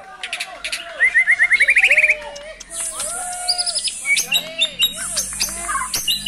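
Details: White-rumped shama, a kept songbird singing actively with 'brantakan' mimicry filling: varied rich phrases of low downslurred whistles, sharp high chips, and a fast rising stepped trill of about ten buzzy notes, then dense high chatter.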